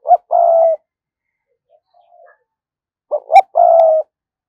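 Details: Decoy spotted dove delivering its methodical 'thúc gù' cooing: a short clipped note, then a sustained low coo, repeated after a silent gap. A brief bright click sounds between phrases.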